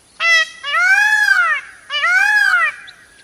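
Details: Loud nasal cries of an Indian peafowl, a peacock: a short note, then two long arched wails, each swelling up and sliding back down in pitch.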